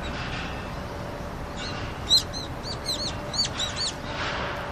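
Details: Wintering brown-eared bulbuls at a rooftop water source in Seoul, Korea, February 2020, on a freezing day; a rapid run of shrill, slurred squeaky notes over quiet urban background.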